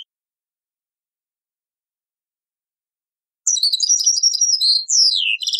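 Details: European goldfinch song from an old cassette recording: after a long silence, a fast, tinkling twitter of high liquid notes and buzzy downslurred trills, with no other sounds.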